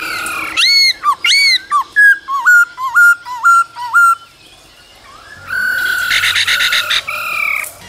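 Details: Caged male laughingthrush singing and dancing during the cold season, with female calls: loud clear whistled notes, first rising in paired bursts, then a run of short downward-hooked whistles, followed by a dense, richer phrase after a pause.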